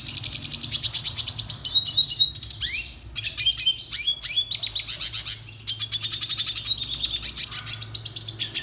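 A Red Siskin sings a continuous, high twittering song of rapid buzzy trills and chips, with brief slurred whistles mixed in.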